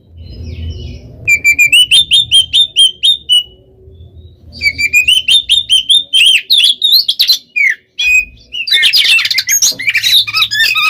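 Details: Oriental magpie-robin (kacer) singing in the nonstop 'gacor konslet' style, used as a lure to provoke other birds: loud whistled and rolling phrases, rising slurs and rapid chattering runs in dense bursts, with a faint low hum underneath.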